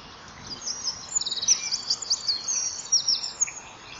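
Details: Common kingfisher pair at a nest-wall camera, 07:20 on 2 March 2014, loudly signalling that intruders are unwelcome: a run of rapid, high, rattling trill phrases of piping notes lasting about two and a half seconds, over a soft background hiss.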